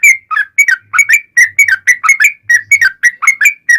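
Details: Rapid chattering song of a yellow-vented bulbul, played as a lure so bulbuls respond; dense run of short liquid whistled notes, some dipping low then rising, delivered almost without gaps.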